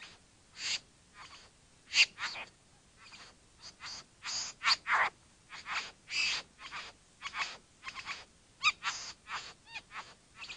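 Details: Bowerbird calling with a series of harsh, rasping, broadband notes given in irregular bursts, some with short rising or whistled elements.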